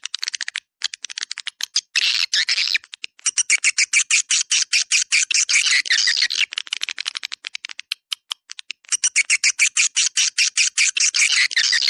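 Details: Lure sound for attracting swiftlets, in the 'Dua Bidadari' style. Long runs of rapid buzzy pulses, about two or three each second, in a steady chattering stream with short breaks.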